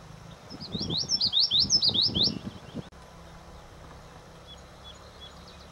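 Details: Common yellowthroat (Geothlypis trichas), song.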